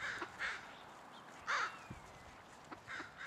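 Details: A few scattered harsh caws from a murder of crows, one louder caw standing out midway among fainter, distant ones.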